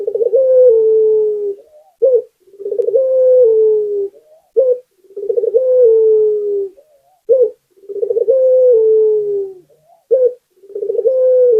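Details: Local puter dove, the Barbary dove, used as a lure so other doves start calling: fast repeated phrases, about five, each a short note, a rolled bubbling start and a falling coo, with barely a pause between them.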